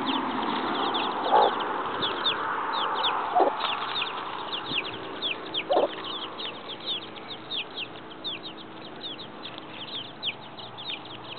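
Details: Seven chicks out in a yard with their mother: constant overlapping high, falling peeps, with a few lower short clucks from the hen.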